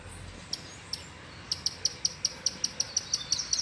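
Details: Free-flying male double-collared seedeater excited by a nearby female: a few spaced chips, then a fast even series of about fifteen sharp, high ticking notes, roughly six per second, over faint steady background noise.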